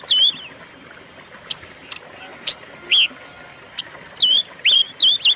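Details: Silver-eared mesia song from a recording used to lure and train songbirds: loud wavering whistled notes that dip and rise, a few opening the clip and a cluster of four near the end, with faint sharp ticks between.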